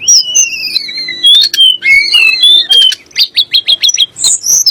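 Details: Sunda blue robin singing, a song said to rile magpie-robins and shamas into singing: long descending clear whistles, buzzy bursts, then a rapid run of short sharp rising notes.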